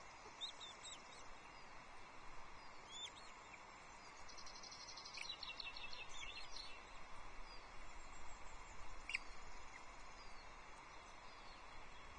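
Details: Osprey at a Loch Arkaig nest on 22 June 2024, the male bringing a second fish, a small whole trout, to the chicks. Scattered high thin chirps in short bursts, a brief series mid-way, over steady background hiss.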